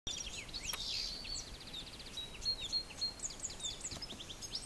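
Blue rock thrush giving thin, high chirps and quick runs of ticking notes, several short bursts over a few seconds, against steady outdoor hiss.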